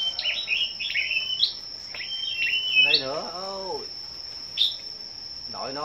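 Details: Scarlet-backed flowerpeckers in a morning song contest on 10 May utter rapid high chips and short slurred notes, while a man's voice speaks briefly in the middle and again at the end, over a steady whine.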